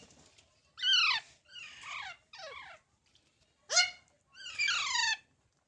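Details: Baby parrots calling indoors: a series of harsh, descending harmonic squawks, each about half a second long, separated by short pauses, with one sharp rising-then-falling screech near the end.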